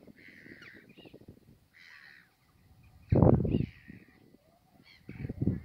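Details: Caspian gull recorded 21 March 2021 at VAM, Wijster, the Netherlands: several hoarse, broad, wailing calls in separate bursts, interrupted by loud low thuds and rumbling noise.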